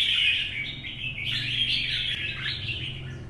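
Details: Wild-caught older red-whiskered bulbul in a cage, singing competitively in morning sun: unbroken, bright twittering with quick downward slurs, plus a faint low hum in the background.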